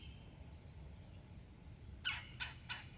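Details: Smallish red-headed woodpecker in an Alabama backyard near suet feeders, fussing at a cat, dogs and people sitting on a patio; three harsh, rasping squawks about a third of a second apart, with faint trilling of other birds earlier.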